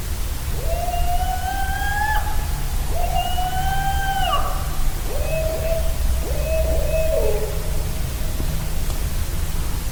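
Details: Barred Owls give four loud, clear hoots at night near a campsite at Land Between The Lakes, each held briefly and then sliding down at the end, over a steady low rumble.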